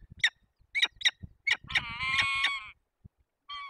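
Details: Peregrine falcon at a nest in Barycz Valley, Poland, on 15 April 2021, during a nest changeover as the female replaces the male: several sharp harmonic chips followed by a drawn-out, ringing wail and a short final wail.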